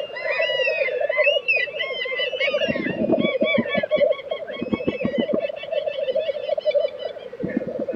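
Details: At a Swedish lek in Tiveden during April 2023, black grouse keep up a throbbing, bubbling roll. Busy twittering from other birds overlaps it, along with several dull thumping knocks midway.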